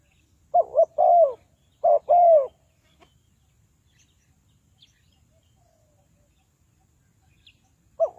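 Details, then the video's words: Spotted dove calling as a trapping lure for wild birds. Two quick coo phrases pair a wavering note with a longer downward-sliding coo, followed by a long hush before another phrase begins at the end. "Tekukur Pikat,นกเขาใหญ่สายต่อดิน, Sound Of dove"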